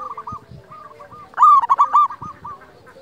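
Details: Local zebra dove cooing for luring and tutoring doves: soft, distant rolling coos lead into one loud, rapid, clipped burst of cooed notes midway, then quieter coos again, with faint low knocks in the background.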